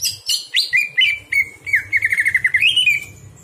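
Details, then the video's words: Greater green leafbird song at night, used to train other birds: varied whistled phrase opening with high slurred notes, moving into a rapid warbling trill of rising and falling notes that ends in an upward sweep. "masteran cucak hijau di malam hari"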